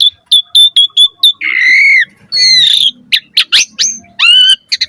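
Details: Asian pied starling training song: a string of short evenly spaced whistled chips, two long drawn-out nasal notes, then quick harsh chatters and rising whistles; faint low murmur underneath.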